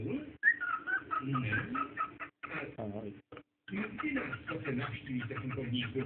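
Cockatiels chatter in quick, scratchy chirps and short whistled notes, with human voices underneath.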